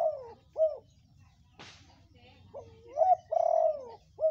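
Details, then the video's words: Vocal red-coloured spotted dove used as a lure for other doves: a clipped coo ending, a sharp click, then a full phrase of a rising note into a drawn-out coo and a brief closing note. "pancingan ampuh tekukur gacor_Tekukur warna merah"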